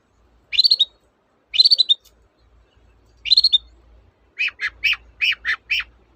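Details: Long-tailed shrike in vigorous song, played as a lure for birds that will not sing: three quick stuttering trilled phrases, then a fast series of five sharp, clipped notes.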